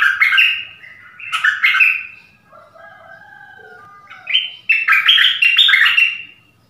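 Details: Nok dok taeng decoy bird calling for a mate in a forest on 13 January 2021: loud bursts of warbled, slurred whistled notes open and close the passage, with softer, lower phrases in the middle.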